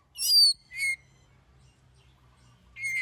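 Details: Short bout of oriental magpie-robin song used as a singing lure for other birds: two loud, high, rasping whistled phrases, a quiet pause with faint low hum, then another strong buzzy phrase.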